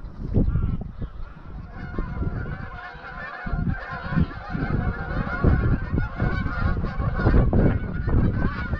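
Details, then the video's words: Dusk exodus of 200–300 greylag geese flying from their grazing field to Llyn Maelog near Llanfaelog, Anglesey; a dense, unbroken babble of honking calls from the passing flock, mixed with strong wind buffeting. "Flight of the Greylag Geese"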